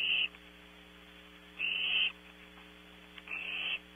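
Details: At night, barn owl owlets in a nest at Audubon Starr Ranch, California, make three drawn-out, wheezy hisses about half a second each, separated by quiet gaps, with a faint steady hum throughout.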